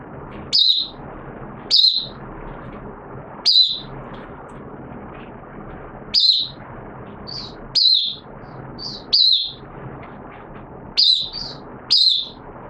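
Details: Hobby-kept oriental white-eye (mata puteh) warming up to sing in wet weather on 6 September 2022: about a dozen short high descending chips, some in quick pairs, irregularly spaced over steady background hiss.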